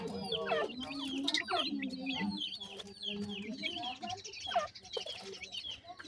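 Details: Wild francolin chicks being fed termites and homemade food give dense, high, downslurred peeps in quick overlapping series, over lower wavering tonal sounds and soft handling noise.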